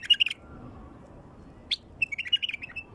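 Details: Wild bulbul singing to lure other wild bulbuls: a quick whistled burst, a pause, a sharp note, then a longer warbling run of liquid notes.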